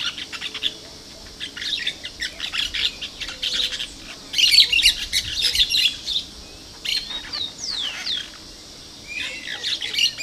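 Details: Plain parakeet, recorded 2 December 2012: a chattering flock of shrill, high chips and squeaky notes in dense bursts, with a few rising whistled slurs and a steady background hiss.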